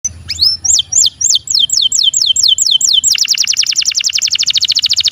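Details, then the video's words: A canary sings a run of about ten clear, high, downslurred whistles, then breaks into a much faster, bright rolling trill. "Melodious canary"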